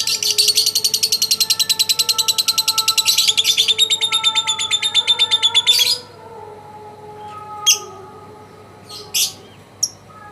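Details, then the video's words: Contest lovebird, first-place champion of a presidential cup, delivering a loud, rapid, buzzy chattering trill for about six seconds, then a few separate harsh squawks with quieter gaps and faint steady tones behind. "Burung lovebird juara1 piala persiden"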